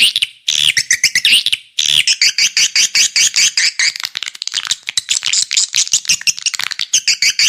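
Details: Swiftlet lure call used to attract swiftlets: dense trains of rapid dry clicks and ticking chirps, high-pitched and buzzy, with brief gaps between bursts.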